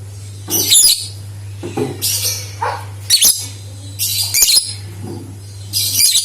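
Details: Lively lovebird song used to provoke other lovebirds into singing, with about seven scratchy, shrill bursts in quick succession, some with lower squeaky notes, over a steady background hum.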